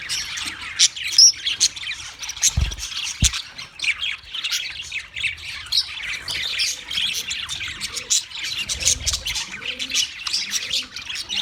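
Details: Wild budgerigars calling together, busy high chirps and short squawky notes in quick, uneven bursts, with a couple of brief low thumps.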